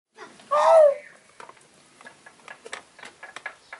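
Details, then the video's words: An Indian peafowl at Basondo wildlife refuge, heard in duets, gives a single loud, nasal, wailing call lasting about half a second, followed by light scattered tapping and clicking. "Duetos con el Pavo Real"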